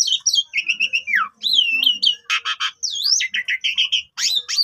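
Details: Asian pied starling singing a long, varied lure song meant to set off sulking or silent birds; slurred falling whistles, warbled phrases, harsh rasping bursts and rising whistled notes in a continuous stream.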